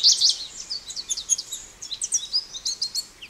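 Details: American goldfinch (Spinus tristis), song.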